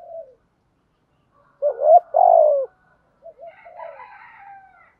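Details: Spotted dove giving the 'thúc gù' driving coo style, used to provoke wild doves into calling: a short low coo, then two loud, husky, wavering coos in a quick pair, with softer, higher chattering sounds after.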